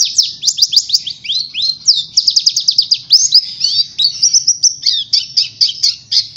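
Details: Oriental white-eye chattering as a lure song for other birds: quick runs of repeated high chirps, twisting slurred notes and bright trills, sung nonstop over a low, faint background hum.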